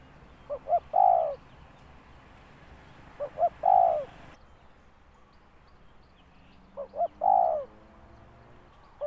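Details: Spotted dove calling: two quick soft notes, then a longer, louder coo that slides downward. The phrase repeats three times, roughly every three seconds, over a low hum.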